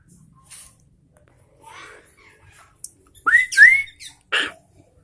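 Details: Sooty-headed bulbul singing: a few faint scattered notes, then two loud, clear, rising whistled slurs close together near the end, followed by a short burst and soft clicks.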